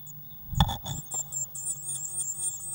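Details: Eurasian blue tit at a nest box on 19 May 2019, real-time recording near a feeder of waxworms; a couple of dull knocks and thumps, then a busy run of thin, very high chirps with a steady electrical hum beneath.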